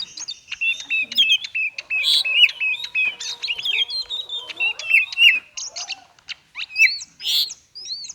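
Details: Konslet song from an oriental magpie-robin, intended to prompt silent magpie-robins to sing; crisp repeated slurred whistles and ticks in quick succession, with a few louder bursts and a short gap before the final phrases.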